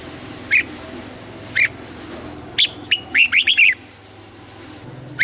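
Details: Red-whiskered bulbul, old-forest double-note style, singing in the morning for voice training: two separate short notes, then a fast run of about seven warbled whistles, and a single note at the end.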